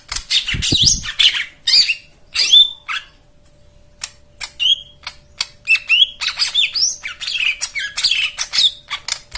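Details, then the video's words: Rich white-eye song material meant to stimulate birds that have stopped singing: bursts of high twitter and slurred whistles, a short pause, then rapid repeated chirps with clicking ticks. "Spesial Untuk Jomin dan Macet Bunyi Isian Mewah"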